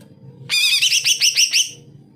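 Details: A greater green leafbird delivering a busy song, kept to prompt lazy leafbirds: a quick run of bubbling, looping whistled notes in bright high tones, lasting just over a second.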